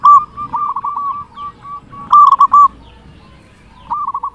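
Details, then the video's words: Loud-voiced local zebra dove from Indonesia, played as a lure to arouse other zebra doves. Soft, even cooing notes lead into a sudden louder rolling burst, then a quieter trailing phrase. "Perkutut lokal gacor suara besar cocok untuk pancingan semua jenis burung perkutut"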